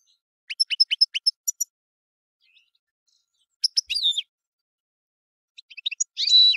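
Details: European goldfinch song opens with a fast, evenly spaced row of bright ticking notes, then swooping, slurred liquid phrases, and ends in a loud, dense, buzzy twitter.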